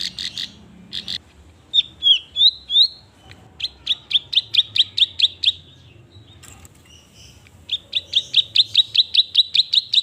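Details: Hand-raised klik-klik bird in full song: brief clicks and a few slurred whistled notes, then quick runs of sharp, high ticking notes, pausing and resuming at a fast, even pace.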